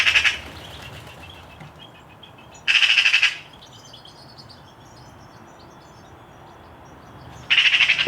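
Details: A Eurasian magpie in a Hampshire, UK, garden in 2020 gives three harsh, rasping bursts of about half a second each, spaced several seconds apart, over faint twittering from small birds. Magpies call like this when threats such as cats are near.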